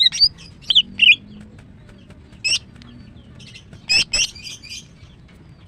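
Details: Caged female greater green leafbird singing in the morning, giving sparse, high chirped and whistled notes in short clusters with long quiet gaps between them.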